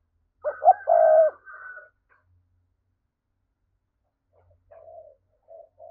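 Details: Spotted dove cooing, used as a lure to attract doves for trapping: a low, hollow, multi-note coo phrase, then a pause and two soft single coos later.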